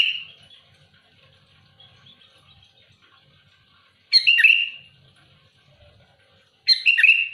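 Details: Sooty-headed bulbul delivering loud, rough song to push back rivals. After a soft fading note come two scratchy, bubbly phrases, each ending in a downward-slurring whistle, spaced about two and a half seconds apart.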